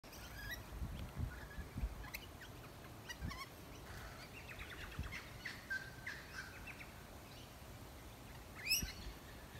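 Soft, twittering chirps from a scarlet-chested parakeet come in scattered bursts, ending in one sharp, high squeak, over low background rumble.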